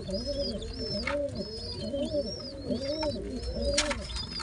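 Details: Father pigeon feeding his two babies simultaneously: overlapping low coos in quick succession mixed with repeated high thin whistling squeaks from the chicks and brief rustling bursts.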